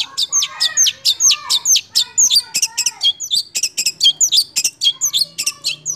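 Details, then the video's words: Long-tailed shrike, six months old, delivering roll speed and nembak song: a quick run of high, sharply falling chirps, about two per second, mixed with lower whistled slurs. "CENDET Usia 6 Bulan Berkualitas Roll Speed + Nembak"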